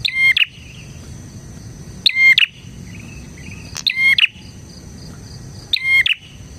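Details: Prinia song for use as a lure and training recording: four loud phrases, each a sharp high note, a steady whistle and a buzzy finish, repeated about every two seconds over a continuous high hum.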